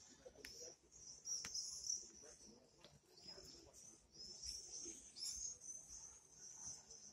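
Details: A thin, piercing, wavering scream from swifts continues through most of the recording, interrupted by occasional sharp clicks and taps, over a soft background rumble.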